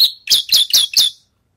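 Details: Javan bush lark rehearsing after its moult: four quick, loud, high chirps in rapid sequence, then silence.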